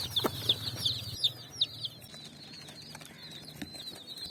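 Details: Dyed chicks foraging on sand at evening: loud, high peeping chirps in quick succession for the first two seconds, then fading into softer, distant chirping with faint low rumbling behind.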